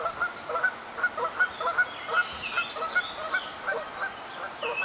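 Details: Northern flicker in New York State, USA: a run of short, clipped notes repeated two to three times a second at an uneven pace, over steady broadband background noise with faint higher chirps from other birds.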